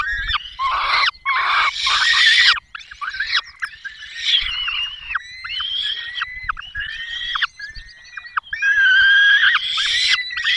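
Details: At a peregrine falcon nest in the Barycz Valley, Poland, 5 May 2022, the male delivers a small bird while the female feeds the young. Harsh, strained wailing calls repeat continuously, with short gaps and hoarse scraping notes between them.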